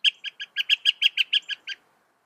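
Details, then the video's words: A fast, even run of about eleven clear, bright chirps from a Northern mockingbird, spaced evenly over under two seconds, then silence. "Masteran Burung Kicau Mockingbird Gacor - Mockingbird Bird Sound"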